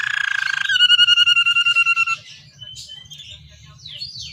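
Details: Canary song with rich phrasing, played to coax captive canaries into singing: a buzzy start shifting into a sustained pulsing whistle, then quieter thin, sliding notes over a low background hum.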